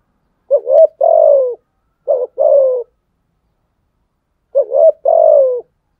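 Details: Spotted dove's fighting coo aimed at rivals: three phrases, each a short rising note followed by a longer hoarse coo that slides down, with pauses of one to two seconds and silence behind.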